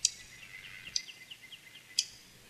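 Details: Dark-eyed Junco, a winter visitor to backyard feeders (locally usually the slate-colored form), giving its call: three sharp, high, clicking chips about a second apart, like snipping shears, over faint softer chirps.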